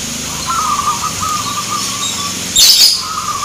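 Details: Local zebra doves competing at a song contest in Grabag, Magelang, Indonesia; soft, fluttering coos repeated in short trilled phrases, with a brief sharp rustle near the end and faint rural background noise.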